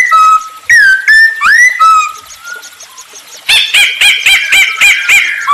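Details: Masked laughingthrush in lively song, used as a lure for other birds: several slurred whistles, a softer run of notes, then a rapid series of about eight harsh chattering notes.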